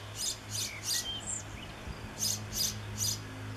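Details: Juvenile European pied flycatcher in a backyard on 7 June 2013, calling for its parent with brisk high ticks repeated about every third of a second, alongside faint whistled notes from other birds and a low droning hum.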